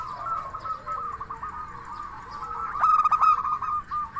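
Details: Zebra dove, an Indonesian local bird, in lively song meant to prompt other zebra doves to answer. Soft rolling coos lead into a loud burst of quick pulsed notes, then more cooing.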